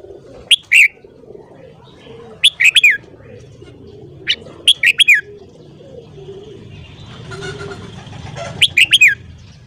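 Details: Red-whiskered bulbul giving morning song, short phrases of three or four quick whistled notes repeated every two seconds or so, with soft low hum and faint noise in the background.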